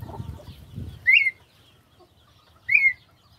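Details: Perdiz, the red-winged tinamou, giving two clear rising whistles about one and a half seconds apart against a quiet background with faint low rumble.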